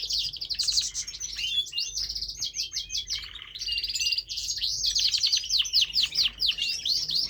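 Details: Pet male canary singing: fast, bright warbling with rapid trills and buzzy rolls, high-pitched and nearly continuous, with one short pause midway.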